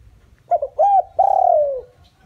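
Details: Decoy spotted dove used to attract wild doves gives one coo phrase: a short double note, a rounded rising-falling coo, then a long smooth note sliding slowly downward.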